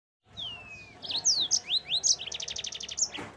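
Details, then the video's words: Yellow-fronted canary song used as a training recording for kept birds: a long descending whistle, then fast buzzy sweeping notes and a quick rattling trill of repeated high notes. "Masteran Burung Mozambik Agar Bunyi 100% Langsung Ngerol"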